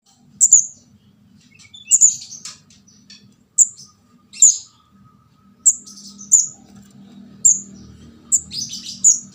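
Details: Juvenile orange-headed thrush, known locally as kemade jawa or ndas abang, in a lure recording for catching birds: thin, very high squeaky chirps in irregular bursts, some doubled, over a faint low hum.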